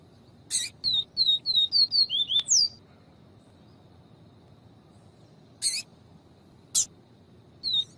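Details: Yellow-bellied seedeater male song with a female calling, used to stimulate seedeaters: a quick run of about eight high, thin, down-slurred notes, a pause, then a few sharp clicks and a brief high note.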